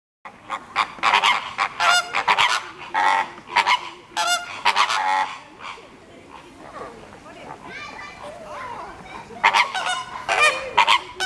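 Several greater flamingos give harsh, goose-like honks in overlapping bursts. A softer stretch of low gabbling comes between the louder bouts.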